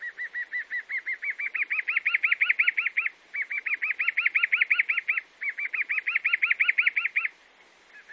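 Chalk-browed mockingbird singing three fast runs of clear, ringing notes, each run climbing slightly in pitch, separated by brief pauses.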